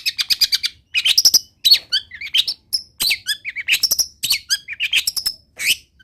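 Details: Long-tailed shrike pouring out a continuous medley of imitated wild-bird notes: rapid high chips, twittering runs and thin whistles, tumbling together with only very short breaks.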